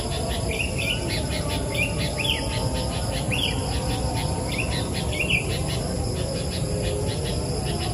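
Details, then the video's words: From the highest branch, a wild sooty-headed bulbul sings vigorously: four or five short warbled phrases spaced a second or so apart, then a pause, set against loud continuous cricket-like trilling and low background noise. "Burung Kutilang Liar Diatas Ranting Tertinggi Sangat Gacor Berkicau Dengan Maksimal"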